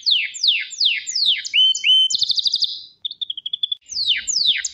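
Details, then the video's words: Canary song of repeated downward-sweeping whistles, a quick rattling trill, a short steady tremolo, then the falling sweeps return; clean recording. "KANARYA ŞAHANE ÖTÜYOR"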